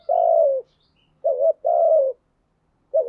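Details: Caged spotted dove used as a decoy to lure wild doves, giving clean low cooing notes: a long steady coo, a short wavering note, another long coo, then a short one, with silent gaps between.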